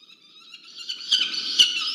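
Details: Peregrine falcons at a university research nest camera in Orange, New South Wales, Australia, 27 November 2022: a strained, high-pitched wailing call that swells in loudness over two seconds, ending in sharper harsh bursts.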